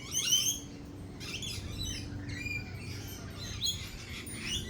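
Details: Lorikeets at a cafe in a thunderstorm with lightning, making loud high screeches at the start, then scattered harsh chattering calls and short upward-sweeping notes, with a low rumbling hum beneath.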